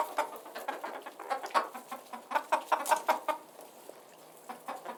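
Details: Soft, low chicken clucks repeat irregularly about every third of a second, a group calling quietly with a few louder notes in the middle.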